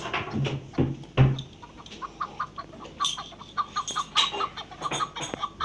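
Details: Partridge calling: a steady series of short, clucking notes repeated about twice a second, after a few louder low thumps and handling sounds at the start.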